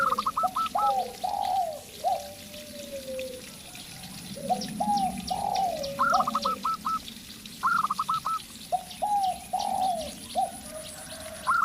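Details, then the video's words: Perkutut lokal, the local zebra dove, trades phrases with a spotted dove decoy: short bright rising notes trailing into quick clipped coos, alternating with deeper, drawn-out cooing. "Perkutut Lokal Gacor"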